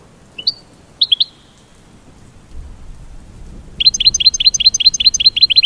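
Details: American goldfinch mating call: a few isolated high chirps, a pause with a soft low rumble, then a fast steady series of bright, clipped twittering notes repeating several times per second.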